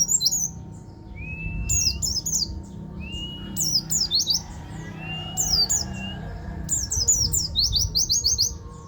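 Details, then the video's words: Buktoni white-eye from Banten in ngeroll tembak song: three drawn-out, thin, rising whistles, each followed by clusters of sharp, high, descending twitters. The phrases grow into a fast rolling run near the end, over a low hum. "buktoni lokal banten ngeroll tembak"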